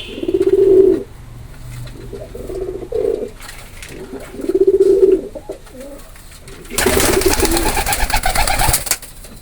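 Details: Three or four low pigeon coos at a steady pitch, followed by a loud stretch of broadband noise near the end.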